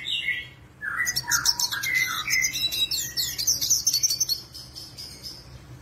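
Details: A Black-headed siskin, a seed-eating bird, singing vigorously as a master tutor bird. A few lower warbled notes open, then a dense burst of high twittering and buzzy trills fades into scattered chirps.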